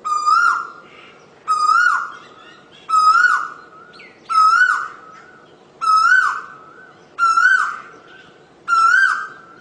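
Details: Asian koel song: seven rising whistled notes repeated at a regular pace of about one every one and a half seconds, each ending with a quick drop and echo.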